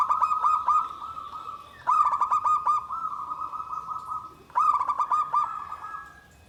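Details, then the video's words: Zebra dove (perkutut) song in three bursts, each a quick run of bubbling, pulsed coos that trails into a long level hum, with roughly two-second spacing. "SUARA PERKUTUT"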